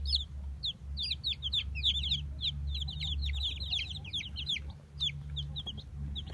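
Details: Fifteen Brahma chicks left from the latest hatch peep continuously: many high, short chirping notes overlapping in a busy chorus over a steady low machine hum.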